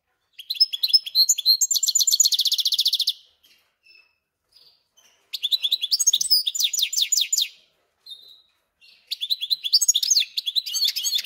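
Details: Caged European goldfinch × canary hybrid, newly settled after arriving two or three days before, sings in bursts: rapid buzzy trills and high twittering phrases, each lasting two to three seconds, separated by short pauses with faint chips.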